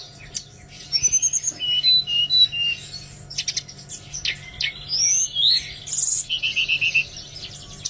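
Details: Song of an Oriental magpie-robin meant to encourage silent birds to sing: a mix of pure whistled notes, scratchy bursts and chattering phrases with short pauses, ending in a descending series of whistles, a low hum throughout.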